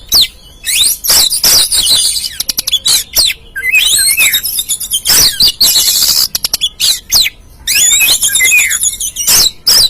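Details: Lure song of an Oriental magpie-robin for an untrained caged bird: a dense, nearly continuous run of harsh chatters, rapid clicking notes and high whistles with only brief breaks.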